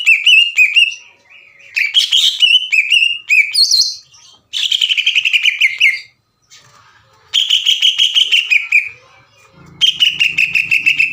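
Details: Bursts of greater green leafbird chatter, the 'ngekek' style played to provoke other birds: several two-second volleys of rapid high clipped notes with short silent gaps, one volley sliding downward, a faint hum at the close.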